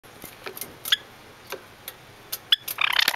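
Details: Angry Java sparrow (Padda oryzivora), apparently displeased by the camera, giving sharp clicking ticks scattered over three seconds, ending in a harsh buzzy chatter.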